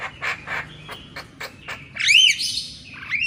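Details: Javan myna morning song meant for training reluctant caged mynas: a run of short harsh chattering notes, then a loud arched whistle sweeping up and down, ending in a shorter curling whistle.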